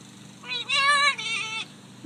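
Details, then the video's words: A female pet Blue-and-yellow macaw talks on a summer day, speaking a quick two-part phrase in a nasal, human-like voice lasting about a second, followed by a short knock. "Talking Parrot"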